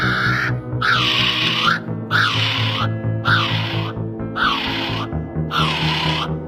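Kiwi giving five shrill, harsh, arching cries, each about a second long and repeated without pause, over a steady low music bed.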